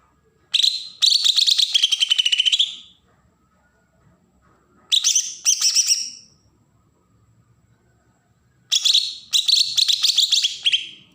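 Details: Bornean green leafbird from Berau, Kalimantan, giving a besetan song used as a lure to provoke newly caught birds: three bursts of rapid, harsh, chattering high notes, each about two seconds, separated by quiet pauses.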